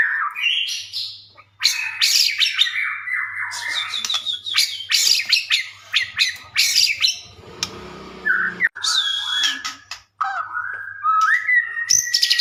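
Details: White-rumped shama singing at length, used to make other shamas respond: rising whistles, dense rattling bursts and buzzy phrases, a brief rough lower passage, then clear slurred whistles sweeping up and down.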